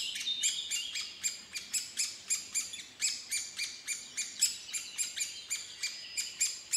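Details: Woodpecker giving a rapid series of sharp, high, clipped chirps, several each second, with overlapping thinner notes and a faint whistled tone in the background.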